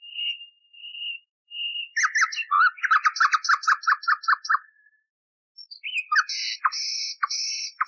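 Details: Soft whistled notes open into a long run of fast, repeated rattling notes, then a higher, scratchy chattering phrase. A common nightingale sings in an old recording cleaned for teaching canaries.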